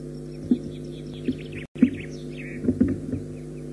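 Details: Osprey at the nest at Loch Garten, around take-offs and landings, giving a faint run of thin, high chirrups that slide downward. A steady low electrical hum and a few soft thuds of movement at the nest run underneath.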